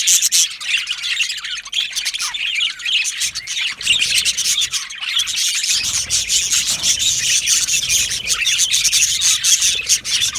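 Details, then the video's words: Yellow male budgies in a colony aviary: constant high chattering warble with clicky chirps, slightly quieter at the start, then building into thick overlapping flock chatter. "Beautiful Yellow Male Budgies Birds Chirping sounds"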